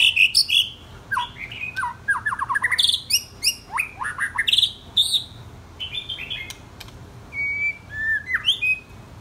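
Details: White-rumped shama aged 10 or 12 months singing a rich varied song: loud whistled notes, rapid chattering clusters and sharp high clicks in irregular bursts with brief pauses, over light background hiss.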